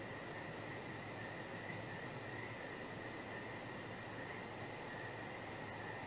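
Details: Constant broadband hiss with a steady high electronic whine running throughout, and no animal calls heard.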